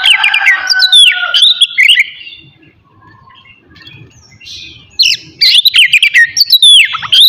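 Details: Oriental magpie-robin (kacer) singing in a morning session meant to stir aggression and breeding urge in other magpie-robins: loud bursts of varied whistled and warbled notes, a quieter pause mid-clip, then another rapid, sweeping whistled phrase.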